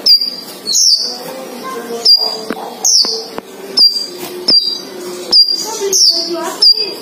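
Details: Male and female sunbirds kept together, singing: sharp, high, whistled notes repeated roughly every second, each with a short slurred tail, over a steady low hum.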